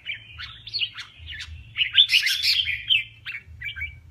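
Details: Kè kích contest singing by a male red-whiskered bulbul, kept for voice training: rapid buzzy and whistled notes building to a loud chattering burst, then scattered short chirps, with a quiet low hum.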